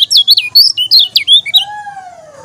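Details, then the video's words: Lombok yellow-crowned bulbul, a kecial kuning, delivering a quick string of loud, clear whistled notes that jump between pitches, ending after a second and a half, followed by a long, lower, gently falling tone. "KECIAL KUNING TAK PUNYA NAMA, JOSS NGAMUK‼️"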